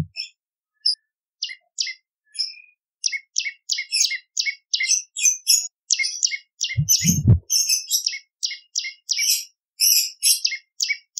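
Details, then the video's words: A bar-winged prinia, recorded to lure birds and to teach song to other cagebirds, gives spaced, sharp high chips in an uneven rhythm, with one short low thump partway through. "Prenjak Lumut Gacor ! Variasi Suara For Murai C Ijo Cungko / Pancingan Prenjak Gacor /Suara Pikat"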